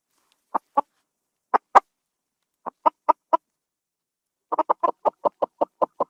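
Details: Domestic chicken giving short clipped clucks, first in pairs and small groups separated by silences, then a quick continuous burst of a dozen clucks at the end; clean recording without background noise.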